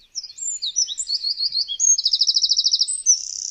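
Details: Eurasian wren captured with a Zoom H6, pouring out a loud, very high-pitched song: quick varied whistled notes and slurs, then a fast rattling trill of about a dozen identical notes, ending in a brief buzzy flourish; nothing else audible.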